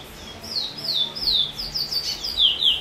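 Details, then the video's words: Chestnut-bellied seed finch (Trini bullfinch) performing the 'chee chor weet sweet roll' song, 22/06/20: a run of about nine quick downslurred whistles, speeding up and getting louder toward the end. "Trini bullfinch chee chor weet sweet roll"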